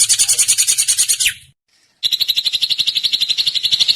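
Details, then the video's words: Drongo delivering a harsh pulsed rattle that ends in a falling slur, then after a short pause a higher, steadier buzzing trill of rapid pulses. "kicau burung srigunting"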